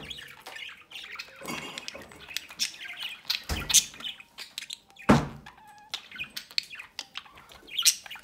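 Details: Nest of pet budgerigars, the parents feeding a young chick from the entrance; scratchy chirps and squawks in an irregular stream, broken by a few loud, sharp clicks or knocks.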